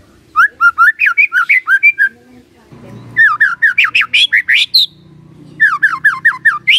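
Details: Lure song of a white-rumped shama meant to draw a reply from a quiet bird: three rapid bursts of loud, bright rising whistles repeated about five per second, with short pauses and a low background hum between phrases.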